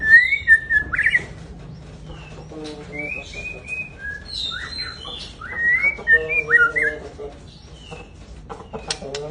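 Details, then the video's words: White-rumped shama, a large kept songbird, giving varied whistled phrases and short chirps over about nine seconds, with a faint harmonic mewing sound and scattered clicks between phrases. "Riwik.an murai batu big jumbo"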